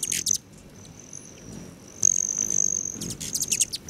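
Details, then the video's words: Hummingbirds at west-facing patio feeders near Great Sand Dunes National Park, Colorado, July morning; brief chip bursts bracket a long, thin, high-pitched buzzing whine that swells midway, in quiet surroundings. "Ten minutes of Hummingbirds"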